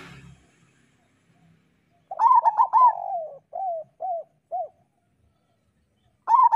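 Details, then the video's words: Local zebra dove singing as training material for other doves: a rapid staccato opening run, a rolling trill, three separate arched coo notes, and a fresh clipped burst at the close, otherwise quiet. "Perkutut lokal gacor Suara Masteran Burung Perkutut Paling Ampuh"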